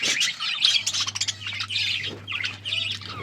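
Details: Pet budgerigars chirping while eating: dense, overlapping high twittering and scratchy squawks with no pause, several birds calling at once over a steady low electrical hum.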